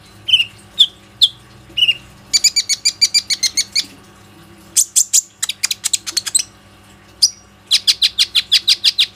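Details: ['Plain-throated sunbird lure recording, made on an Oppo phone, to get other sunbirds singing: descending whistles, a long rapid buzzy trill, loud sharp notes, and a final fast rattling series.']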